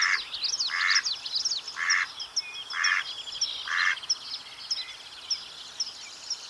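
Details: Mallard (Anas platyrhynchos) giving four loud, rasping quacks at uneven intervals during the first four seconds. Afterwards only high chirping and trilling of small songbirds continues.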